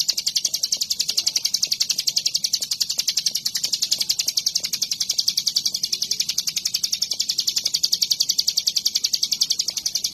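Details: Hill prinia in full voice, singing while moving and dancing: dense rapid-fire sharp high notes repeated at an even pace without a break, quiet low noise beneath.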